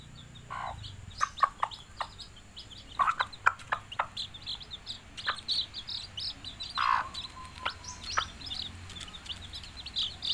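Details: Hen calling her chicks to eat: short, low, broad clucks at scattered moments, with many thin, high, downslurred chick peeps chirping throughout.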